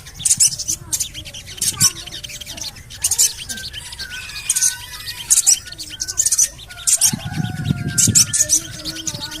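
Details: Javan cochoa calls, played as a lure to get other birds singing: bursts of high, scratchy chattering repeat about once a second over softer whistled notes, with a low rumbling noise near the end.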